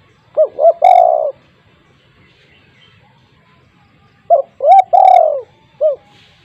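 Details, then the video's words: Spotted dove call used to get silent doves kept at home to answer. Twice over, two short coos run into a long rolled, falling coo, the second phrase closing with a single short coo. "burung tekukur dirumah yang bisu auto langsung ikut bunyi"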